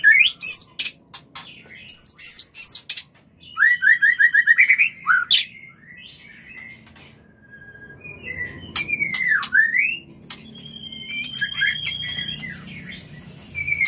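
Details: White-rumped shama mating call played to bring birds into breeding condition: varied whistled phrases, rapid repeated chip series, slurred rising and falling notes and buzzy trills, with pauses between bursts.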